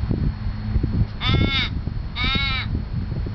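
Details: Two short, harsh wailing caws about a second apart from an Australian raven at Lake Monger, Perth, Australia, set against low rumbling background noise.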